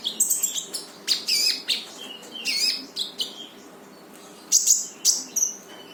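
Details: Brown-throated sunbird, known as konin, in vigorous song to stir a non-singing bird: fast run of sharp high chirps and thin slurred whistles, a brief lull, then three piercing strident bursts.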